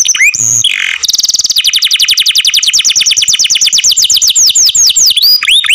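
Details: A canary sings loudly, a short harsh burst giving way to a long rapid trill of falling notes that gradually slows and broadens into swooping whistles.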